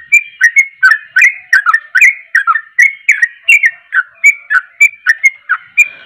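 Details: Sooty-headed bulbul singing energetically to provoke other bulbuls, a steady stream of short whistled notes, about three per second, each sliding down then up, with crisp chirpy accents throughout.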